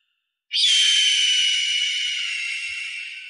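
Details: An eagle's single drawn-out, high, shrill cry lasting nearly three seconds, starting sharply and slowly fading while keeping a steady piercing tone, with no other sounds around it.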